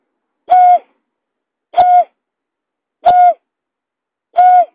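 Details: Lure call of a buttonquail: four flat, hooting notes, each about a quarter second long, repeated roughly every 1.3 seconds with clean silence between.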